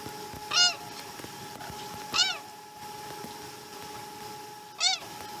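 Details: Chesapeake nest osprey during morning feeding, 2019 12 12, giving three separate piercing, arched, whistled cries spaced a second or more apart against a low steady hum and soft background noise.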